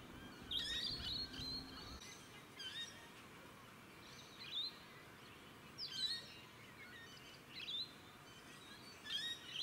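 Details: Rainbow lorikeets at evening, captured with a Panasonic 4K Handycam: short bursts of shrill, grating screeches and chirps recurring every one to two seconds against a quiet background hiss, with a brief low hum early on.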